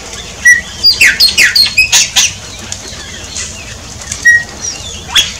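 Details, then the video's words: Shiny cowbird song opening with a quick run of about eight bubbly, gurgling pulses. Brief high whistles and scattered squeaky notes follow. "CANTO DO CHUPIM"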